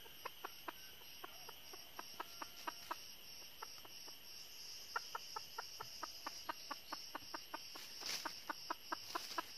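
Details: Decoy jungle hen, red-eared type from northern Vietnam, set out to trap wild junglefowl. She gives short sharp clucks, repeated steadily about three times a second, over a constant high insect drone.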